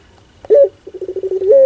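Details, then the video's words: Barbary dove with a funny pelung-style coo: a sharp rising note, a pause, then a fast stammering train of low pulses leading into the start of a long steady hoot. "Suara LUCU PUTER Pelung"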